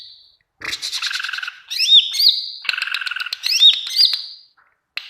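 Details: Greater green leafbird song meant to coach other caged birds: a rapid mix of rattling chatter, looping whistled upsweeps and sustained buzzy notes, delivered in two long continuous phrases.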